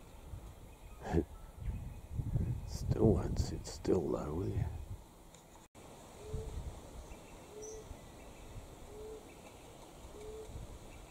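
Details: A pigeon in Australian bush near a dam in spring gives short, low, hollow whoo notes, one about every second and a half. A man talks over the first half.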